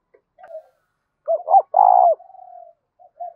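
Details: Spotted dove cooing to provoke wild doves toward a decoy: a soft lead-in coo, two sharp arched notes, a loud broad drawn coo trailing into a long flat tail, then two faint notes.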